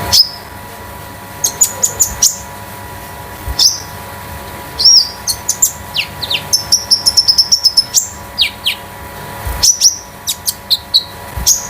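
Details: Scarlet-headed Flowerpecker of the konin damer type, a home-kept tutor bird, pours out a long metallic trotol song: sharp high ticks, quick downslurred whistles and a dense rattling run of notes near the middle, with a steady hum underneath.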